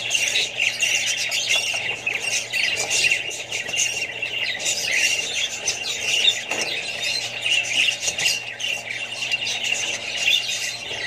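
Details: Busy chorus of Australian budgies among other birds and babies: constant scratchy chirping and squeaky warbles layered over each other, with short louder squawks and a faint low hum throughout.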